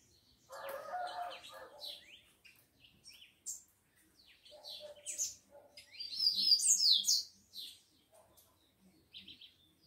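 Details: Captive tico-tico males, described as fired up, kept with females; sparse high chirps and a buzzy low call, then a loud jumble of overlapping twitters near the end, in quiet surroundings.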